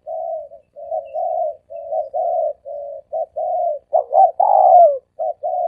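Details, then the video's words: Continuous run of mellow dove coos for luring, in the three-coo style: steady level notes in quick succession, then a stuttering double note and a long swelling falling coo, followed by more short coos. "เสียงนกเขาสามกุก เสียงนกเขา เสียงนกเขาใช้สำหรับต่อ เสียงนกเขาต่อหมานเข้าเร็ว"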